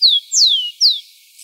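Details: A rufous-collared sparrow, recorded live in the wild, sings clear, high whistles that slur downward, three notes in quick succession.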